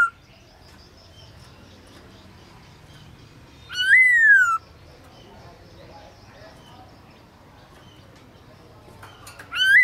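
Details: Black-throated laughingthrush (Garrulax chinensis) singing at midday in a "forest voice": two loud, clear whistled phrases, each swooping up then sliding down, about five seconds apart, with quiet hiss between them.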